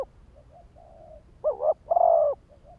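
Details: Spotted dove lure bird giving soft faint coos and then one complete phrase: a quick doubled coo and a long mellow coo.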